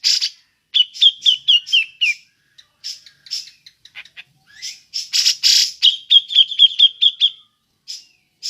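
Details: Ngepik call of a cucak jenggot (grey-cheeked bulbul), used as a lure: a run of sharp, slightly falling notes, scattered soft ticks, harsh buzzy bursts, then a steady string of about eight clipped 'pik' notes.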